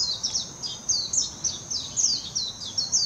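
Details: Warbling white-eye song, Hashimoto, Wakayama Prefecture, Japan, 26 June 2021, recorded on a Nikon Coolpix P900: a hurried stream of thin, sweet, falling twitters, about one note cluster per second, with a steady high hum beneath.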